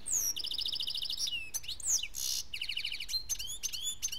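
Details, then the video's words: German European goldfinch hatched in 2013, a caged singer; rapid twittering song of trilled buzzy runs, repeated rattling note series and high sweeping whistles, continuous throughout. "EuRo GoLdFiNc SiNgiNg"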